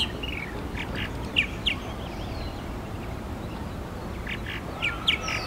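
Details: A Purple Martin calling at a martin house at FortWhyte Alive, Winnipeg, Manitoba, in July 2022, giving short, throaty chirps in two quick pairs, one early and one near the end, over a steady low rumble of background noise.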